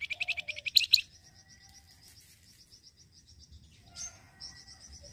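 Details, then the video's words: Flamboyan bird, for bird luring: an opening burst of rapid loud chirps, followed by a soft, steady high ticking series and a few quieter notes. "FLAMBOYAN YANG RECEH BUNYI..BAGUS UNTUK PIKAT BUNYI AGAR CEPAT RESPON"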